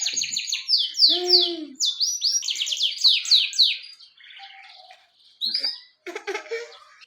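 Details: Full-voiced canary delivering rapid descending sweeps in quick series, a short rich lower warble, then quieter scattered notes and brief pauses.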